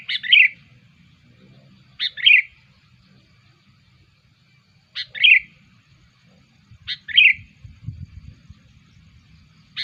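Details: Sooty-headed bulbul lure call: short chirpy phrases, each a sharp note dropping into a brief warble, repeated at spaced intervals of about two to three seconds, five times, with faint low rumble.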